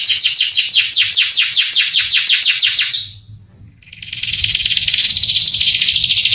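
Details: A male canary sings fast, bright trills of rapidly repeated down-slurred notes for three seconds, pauses, then resumes with a dense, buzzy high warble; the song is played to excite young canaries into answering and singing.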